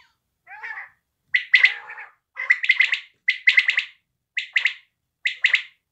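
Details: A quail's call series: a soft lower note, then quick three-syllable chipping phrases, high and clipped, repeated roughly every second with short pauses and no other clear sounds.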